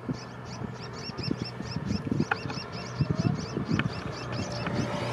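Young tricolored munias beg with thin, high, rapidly repeated notes, about four a second, over a steady low rumble and scattered clicks.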